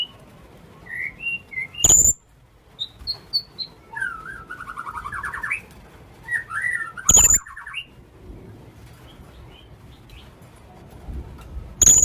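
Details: Young blue-crowned hanging parrot calling, recorded as a lure. Piercing high shrill notes repeat roughly every five seconds, separated by softer chattering, twittering and whistled notes.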